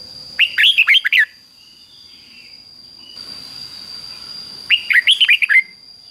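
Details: Red-whiskered bulbul in the doubled "beun" song, fig-jig-fok, played daily for young birds to copy; two matching phrases of six or seven fast slurred whistles about four seconds apart, over a steady high hum.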